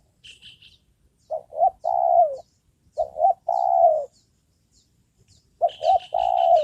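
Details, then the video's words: Trained decoy spotted dove calling regularly while used to lure wild doves: three phrases of low cooing, each two short notes and then one long, slightly falling coo. Thin high chirping sounds between phrases. "Mikat burung tekukur"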